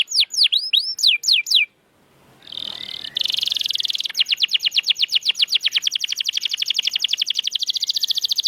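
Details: Canary song for prompting silent canaries: a few looping whistled notes, a short pause with a buzzy burst, then a long fast steady trill of rapid repeated notes.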